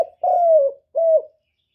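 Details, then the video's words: Decoy spotted dove cooing to stir up and lure wild doves: two smooth, mellow coos, the first long and slightly falling, the second shorter after a brief gap, with no other sounds. "CU GÁY KÍCH BỔI MỚI NHẤT, TIẾNG CHIM CU MỒI CỰC CHẤT"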